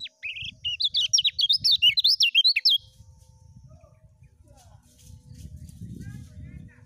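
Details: Lemon-bellied white-eye (kecial kuning) from Lombok in full ngejos song style, a training recording for new birds: a fast, loud burst of high, zigzagging whistled notes for nearly three seconds, then only a low background rumble.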